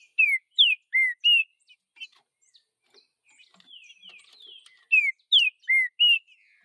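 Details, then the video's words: Vidigal-type song of a green-winged saltator in the bush: a four-note phrase of clear whistles, falling, falling, low slur then level note, given twice, with faint twittering of other birds between phrases. "Trinca ferro Vidigal no mato"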